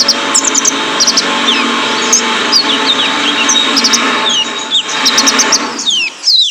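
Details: Male kolibri ninja in a training recording for caged birds: sharp, very high twittering notes and downslurred ticks repeat busily over steady background hiss and hum, ending with a falling squeal.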